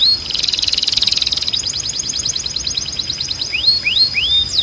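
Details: Timbrado canary song used for training canaries to sing: a fast rolling, bubbling trill gives way to an evenly pulsed high trill, then three upward-slurred clear whistles at the end.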